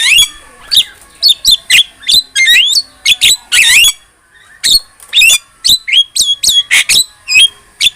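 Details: Energetic Javan myna singing as a tutor recording: a fast series of sharp squeaks and upslurred whistles broken by dry rasping notes, with one grating harsh burst midway and barely any gaps.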